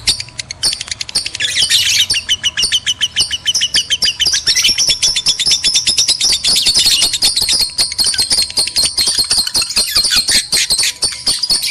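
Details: Lovebird chatter used as a lure to stimulate breeding in males and females: a dense, unbroken stream of rapid high chirps and squeaky twitters, several per second, swelling into a louder buzzy passage near the middle.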